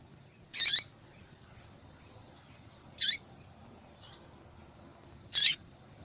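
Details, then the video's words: Female double-collared seedeater calling repeatedly, sound used by breeders to stimulate male singing; three loud, high, buzzy chips spaced about two and a half seconds apart with a faint note between, quiet low hum behind. "Fêmea de Papa capim Chamando Muito"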